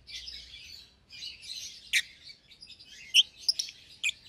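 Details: Young lovebird pair, euwing green opaline and albino, together in a single-pair cage; soft continuous scratchy twittering broken by a few louder sharp chirps toward the end.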